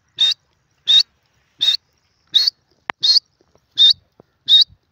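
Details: Grey francolin (teetar), male and female, giving short, high, squeaky notes repeated about every 0.7 seconds in an even series of seven, with one sharp click in between and no other background sound.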